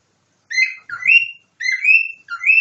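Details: Domestic cockatiel imitating a nightingale: clear whistled notes that slide upward, given in paired phrases, each note lasting about half a second.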